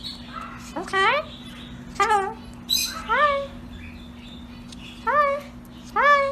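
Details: Pet parrot calling: repeated upward-sweeping nasal notes, each rising sharply then levelling, given roughly once a second with some quicker doubled notes, against a constant low hum.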